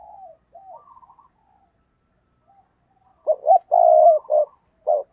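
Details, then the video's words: Cooing of a decoy spotted dove meant to lure wild birds: faint wavering notes first, a quiet gap, then a loud burst of deep, hoarse coos with a sustained middle note and a closing coo. "Tiếng Chim Cu Mồi Thúc Gù/ chim cu gáy kích bổi/ mở là gáy"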